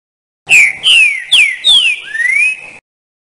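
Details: Green-winged saltator, called trinca-ferro, sings a melodious phrase of four loud downslurred whistles and a closing upward-sweeping note, with a faint reverberant tail, over about two seconds.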